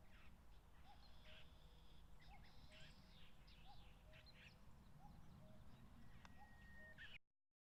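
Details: Late-May territorial contest among wild common cuckoos in the grassy foothills of Mount Fuji, Japan: low hooting two-note calls recur roughly every second, partly overlapped by bright songs of other birds, ending abruptly in silence.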